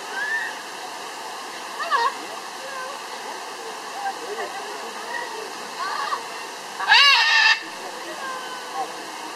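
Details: A blue-and-yellow (blue-and-gold) macaw gives softer wavering calls, then a harsh, grating squawk near the end, over steady rushing water and possible voices.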